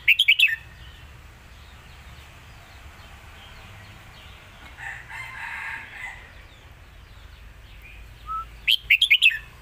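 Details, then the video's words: Red-whiskered bulbul in a cage sings the Lak Wai master song style, with a fast whistled phrase at the start and another at the end. A broad, harsh sound fills the middle. "นกเสียงทอง!!เพลงลากหวาย สุดยอดเพลงแม่บท#นกกรงหัวจุก"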